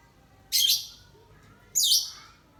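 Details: Lovebird sunned under overcast skies, ngekek panjang style; two short, harsh, very high chattering bursts roughly 1.2 seconds apart, separated by quiet.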